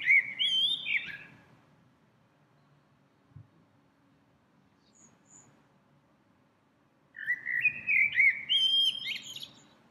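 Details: In spring, a small bird that visits the same tree repeatedly each day sings melodiously: a tumbling whistled phrase at the start, a long silence, then a second phrase of rising, twittering notes.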